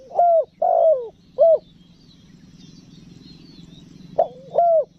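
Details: Spotted dove giving a clear 'pesom manggil' calling coo used to lure wild doves: a short phrase of three loud, slightly descending mellow coos, a pause of several seconds, then the phrase begins again; faint high chirps of other birds behind.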